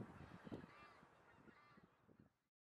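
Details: On 26 January 2017, in a Vrouwenpolder polder, a few thousand undisturbed geese are grazing. They are mostly greater white-fronted geese (about 1600), with tundra bean, Egyptian and barnacle geese and a lesser white-fronted goose. They keep up a dense, overlapping chorus of yelping honks and chatter.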